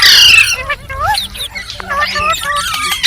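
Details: Green parrot (rose-ringed parakeet) chirping: a loud harsh burst at the start, then a series of short, bending, whistled chirps that rise and fall, with brief pauses between them.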